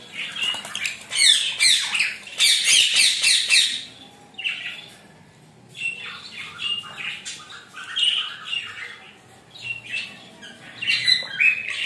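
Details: While showering, a rainbow lorikeet gives rapid, grating screeches, about three or four a second. They are loudest in the first four seconds, then turn into looser, spaced squawks.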